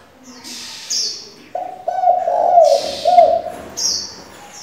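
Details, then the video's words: Spotted dove calling with many voices to excite decoys and train young doves: a run of low, throaty coos about two seconds long with slight dips. Another bird adds bright, high whistles before and after. "Cu gáy đảo giọng liên tục, kích bổi hay, luyện CU non chuẩn!"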